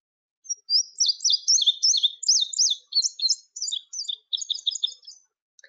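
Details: Indigo Bunting song: a high, bright, hurried phrase of about five seconds, sweet notes mostly in quick repeated pairs, dropping slightly toward the end.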